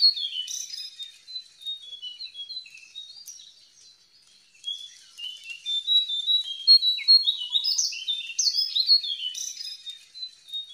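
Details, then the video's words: Jongkangan recorded in the wild, used as a lure to prompt captive birds to sing: quick high chirps and squeaky warbled phrases, briefly pausing mid-clip, then resuming in a denser, louder burst of twittering notes. "SUARA JONGKANGAN DIALAM BEBAS SANGAT COCOK BUAT PANCINGAN JONGKANGAN ANDA YANG LAGI DIAM"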